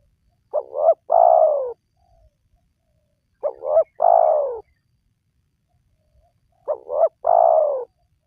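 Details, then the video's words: Spotted dove calling, a recording meant to lure wild doves into calling: three cooing phrases about three seconds apart, each two short rising notes and then a longer, drawn-out descending coo, over a quiet background. "Pemancing Burung Tekukur Yang Malas Bunyi,Langsung Rajin Bunyi"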